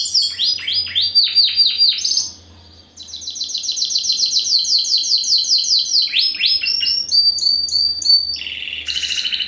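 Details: Song of a first-generation Spanish Timbrado x wild canary cross bred in 2015: descending swooping notes, a short pause, then a long rapid high trill followed by varied clipped phrases.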